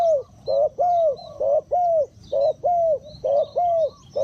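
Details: Spotted dove used as a lure for wild birds, repeating short-long paired coos, hollow and low, about once a second in a steady rhythm, with faint high chirps from other birds.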